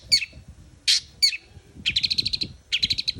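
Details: Long-tailed shrike giving loud, high, slurred notes, followed by two fast, buzzy, stuttering trills of about a dozen clicks each, with a low murmur underneath.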